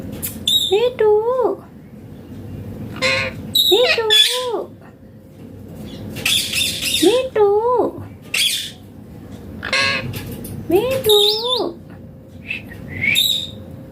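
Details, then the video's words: Indian green ringneck parrot talking indoors, repeating short wavering tonal phrases like "me too, me too" about every two to three seconds, mixed with harsh noisy squawks and a faint steady background hum. "Indian Green Ringneck Parrot talking natural sounds/voices clear"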